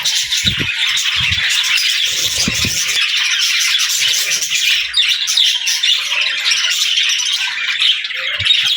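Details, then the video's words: Budgerigars singing and chattering: dense, continuous high warbling with scratchy chirps and squawks, several birds overlapping, with occasional low thumps beneath. "Budgie Talking | Parakeet Singing"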